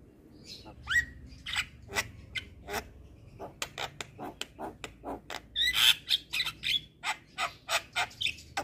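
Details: Javan myna (jalak kebo) training song: an opening upward-sweeping whistle, then an even series of short dry clicking notes, about four per second, rising to a loud whistled flourish before the clicks resume.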